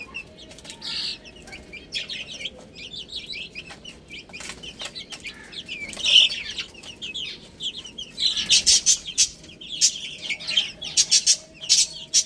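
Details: Young chickens pecking at spinach. Scattered thin peeps at first, then louder chirping bursts mixed with sharp crackling taps and rustles in the second half.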